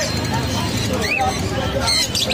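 An African grey parrot chatters in short, speech-like syllables, with one quick rising whistle, over a steady wash of background noise.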